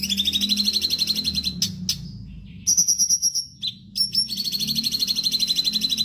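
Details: Sooty-headed bulbul (cucak cungkok) in lively 'gacor' form, used as a master song for training songbirds: fast high chattering notes, about three per second, broken by sharp clicks and short pauses, then resuming.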